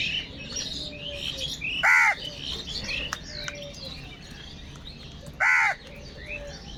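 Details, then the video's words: Crows fighting for food: two loud, harsh caws about three and a half seconds apart stand out over steady chirping from smaller birds in the background. "Kaka sound and noises of Crow birds | All types of Crow sounds | Very loud voice of Crow sound"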